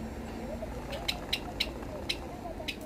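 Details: Barn swallow fledglings just out of the nest, perched on a power line on a July day and being fed by a parent, give sharp, high begging chips, about five or six irregularly across three seconds, over a steady low rumble.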